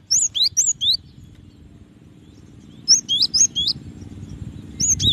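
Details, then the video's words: Cinereous tit giving three short bursts of high whistled paired notes, each note sliding down, separated by pauses of about two seconds, over soft low background rumble. "SUARA BURUNG GELATIK BATU"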